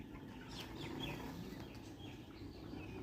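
Broiler chickens give soft overlapping clucks and brief chirps over a constant low rumble of background noise.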